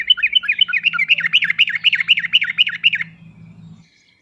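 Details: Sooty-headed bulbul used as a master recording to provoke a reluctant singer, giving a steady run of bubbly, rolling notes about four per second for three seconds, over a faint low hum.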